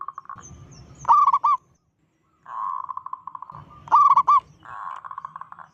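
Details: Local zebra dove with a big voice, its call said to panic other zebra doves; two bright trilled coo phrases, each followed by a soft rolling purr, with a quiet gap between.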